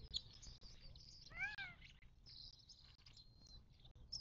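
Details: At a Mojave Desert watering hole near Joshua Tree National Park, southern California, 19 March 2024, one clear arched, harmonic call sounds midway through a backdrop of continuous high twittering from many birds.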